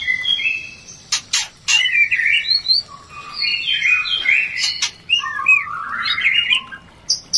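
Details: White-rumped shama (murai batu) singing a breeding-urge lure song used to stimulate a less eager bird: rich, varied whistled phrases with sliding notes, interspersed with sharp clicking bursts, bright and continuous over several seconds.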